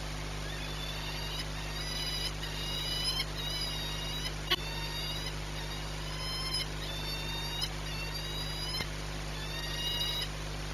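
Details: Peregrine falcon ringed 8BS at Orlen in Płock, 22 March 2021 at 14:39, giving harsh, nasal, harmonic calls in a steady series, roughly one burst per second, over a constant electrical hum and hiss with a couple of sharp clicks.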